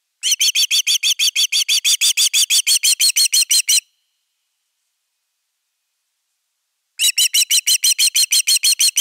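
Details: Nest-camera recording of an Osprey guarding its nest, 31 August 2021: a fast string of piercing, slightly downslurred whistles, roughly three per second, breaking off for about three seconds before the urgent series starts again.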